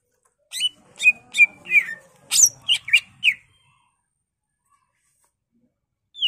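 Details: Greater green leafbird (cucak ijo) song for training birds: short run of sharp downslurred whistles and chips over about three seconds, then silence with one final note.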